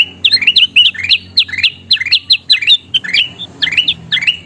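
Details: Kutilang emas (golden bulbul) singing, recorded to train other birds to sing more often. Quick, clear, rising-then-falling chirps repeat several times a second in a steady bouncy run, over a faint low hum.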